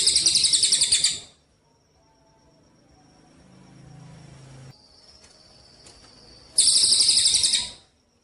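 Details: Javan munia song from a training recording for songbird contests, with pauses: a high, buzzy, pulsed trill lasting about a second, then a quiet gap with faint hum, then another fast pulsed burst.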